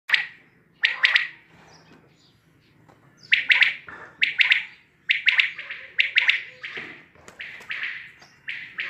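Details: Quail calling with sharp, bright bursts of clustered notes, some paired or tripled, repeated roughly once a second after a quieter, lower opening phrase; a faint low steady hum sits underneath.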